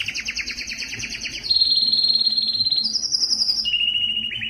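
A Spanish Timbrado canary sings a high, metallic song: a rapid rolling trill, then long sustained whistled notes that step up in pitch, then drop lower.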